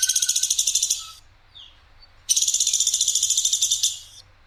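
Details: Platuk sampit woodpecker in a clean training recording, its voice described as clear, coarse and sharp: two rapid, rattling, high buzzy trills, each about 1.2 seconds long, separated by a short quiet gap.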